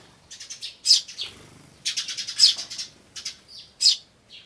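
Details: Tree sparrow chicks and adults, recorded 10 May 2013: a mix of high 'chun'-like chirps and short rapid buzzy bursts, irregular and overlapping, from several birds.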